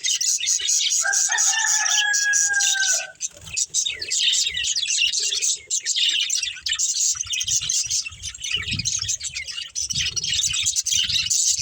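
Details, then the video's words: Several budgerigars chirping as they play and eat, steady high warbling chatter throughout; a couple of drawn-out, even tones sound early on, and soft low knocks appear later. "Cute Budgies Chirping Sounds"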